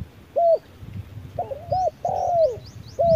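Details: Spotted dove in a fight-provoking exchange at harsh midday: loud clear coos, a short note, a quick double, then a long descending slurred coo, with soft high twittering above.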